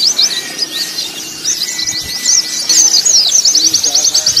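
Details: ['Short passage from a white-eye training mix imitating a song contest. Scattered sharp, high chirps and twittering phrases build into a quick, regular trill at the end, with faint voices beneath.']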